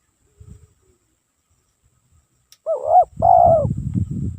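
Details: Spotted dove, a lure bird, after near silence, giving a rising coo and a long falling drawn-out note, with heavy low rumbling and thudding noise continuing beneath and after.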